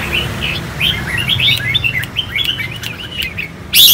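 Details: Caged four-year-old Khánh Hòa red-whiskered bulbul singing in the 'ché' style after a cool bath: a run of quick bright chirps and short whistled notes, closing with a louder harsh burst.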